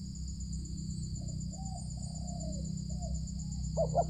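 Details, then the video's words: Wild loud-voiced spotted dove (tekukur) near a village, cooing during a luring session before it came down to the luring ground within three minutes. Soft low hooting notes come in a short series over a steady high electronic whine and low rumble. "Tekukur Ini || Sanji Suara Besar"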